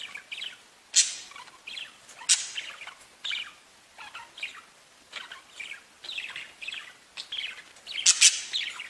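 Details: Budgerigars chirping and warbling: rambling chatter of squeaky, buzzy notes with occasional louder sharp chirps, continuous throughout, over faint hiss.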